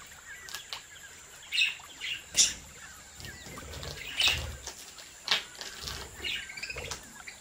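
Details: Budgerigars from a home breeding aviary. Sparse, sharp high chirps come in uneven bursts, each a brief bright note, separated by pauses over a soft background hiss.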